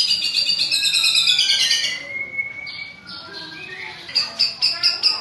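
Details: Singing white-rumped shama, riled by a rival, in a coarse rolling style: a rich harmonic buzzy phrase, a long level whistle, then punchy repeated high notes spaced about half a second apart.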